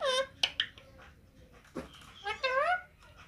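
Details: Rose-ringed parakeet, playing and feeding, gives a loud harmonic screech, a few soft clicks and chatters, then a long wavering squawk near the end.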